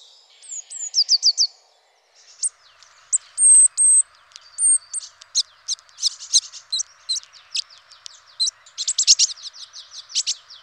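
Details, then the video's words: Eurasian blue tit from a French garden-bird recording: high thin whistled notes and short trills, then a varied run of sharp chirps and buzzy, rapid ticking notes over light background noise. "APPRENDRE LES CHANTS D'OISEAUX #5 : La mésange bleue"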